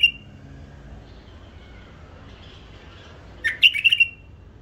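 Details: Hybrid bulbul kept in captivity, mostly quiet, then near the end a sudden quick run of crisp, bright chirps and a short whistled slur, set against a quiet room.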